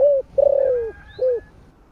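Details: Warm-toned morning coo of a spotted dove in the 'gáy gọi' calling style: a short coo, a long coo that slowly droops in pitch, and a final short coo.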